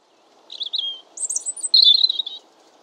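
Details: European robin song phrase: thin high warbling notes followed by a brighter, rapid trilling flourish, delivered clearly against a quiet background.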